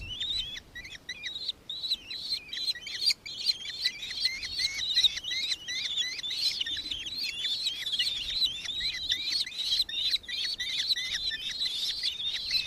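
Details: Nankeen kestrel from Victoria, Australia, 4 December 2024: a long, insistent run of sharp, high repeated notes, slightly upturned, delivered about two and a half per second without a break.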